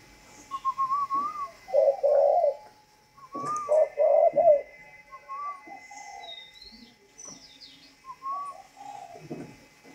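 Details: Captive spotted dove of the northern Vietnamese 'thunder voice' singing style repeats deep, throaty coo phrases in two bursts, each a few quick rolling notes; a higher thin whistle is heard between the phrases.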